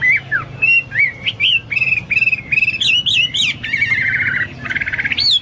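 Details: Hwamei singing varied clear whistles, separate slurred notes and short trills, then a sustained buzzy rattling phrase that rises into a bright final whistle.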